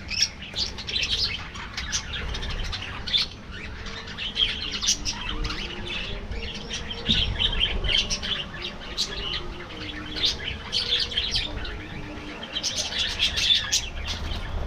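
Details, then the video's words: Afternoon feeding time for aviary budgerigars: a busy, overlapping warble of bright chirps and scratchy notes swelling and fading in waves, with faint low tones beneath. "Budgies Enjoying Afternoon Diet"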